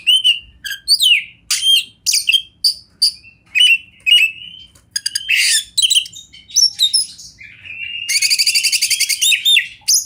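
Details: Champion kacer, the Oriental magpie-robin, recorded in the wild as masteran with river and forest sounds: loud harsh chips and slurred whistles in rapid series, then a long fast buzzy rattle pulsing about ten times per second.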